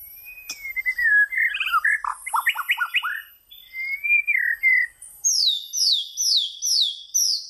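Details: Clear ringing song of a white-rumped shama: a long sliding whistle, then quick tumbling warbled notes, another level whistle, and a fast series of high repeated downslurred notes at the end.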